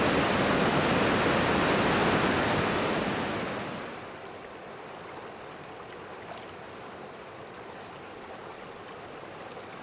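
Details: Loud broadband roar of surf and wind dominates for about four seconds, then drops to a softer, steady rush of water and wind with no animal calls heard.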